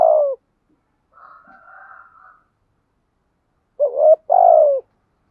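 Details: Decoy spotted dove cooing to lure wild doves: a loud coo at the start, a soft wavering murmur, then a strong two-note coo, the second note longer and falling; no other sounds.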